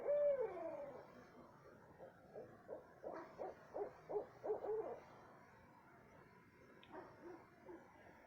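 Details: Nighttime owl call recorded at 2:30 am in south central Texas. A drawn-out descending note opens, followed by a string of rapid hoots around the middle, then fainter scattered notes trailing away.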